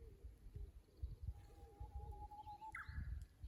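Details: Japanese bush warbler at a Kusu tank road, fixed camera, dated 25.04.24. A long level whistled note ends in a brief upward flourish. Faint cooing and a heavy low rumble fill the background.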